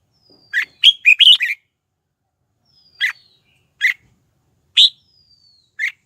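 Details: Red-whiskered bulbul decoy singing to lure wild rivals to fight: one rapid phrase of five chirpy notes, then isolated sharp single notes about a second apart, with faint thin descending whistles in the background.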